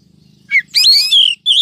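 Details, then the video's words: Female oriental magpie-robin from a 2023 trapping lure, meant to provoke males, gives a short chip and then a long, loud, descending whistled phrase over a faint low rhythmic hum. "Chòe than mái mới nhất 2023 kích trống dụ bổi nhanh ra giọng, file bẫy bánh tẻ"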